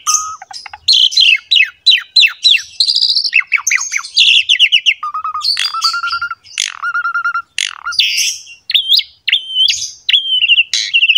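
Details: Asian pied starling in vigorous, full "pumping" song, used as a lure for young starlings: rapid mixes of clear whistles, rattling trills, harsh squawks and chattering phrases, delivered almost without pause.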